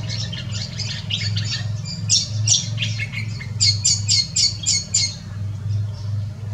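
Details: Brown quail (Synoicus ypsilophorus) at Hervey Bay, Queensland, gives quick runs of high, sharp chirps in short bursts, rising toward the end, over a steady low engine-like hum.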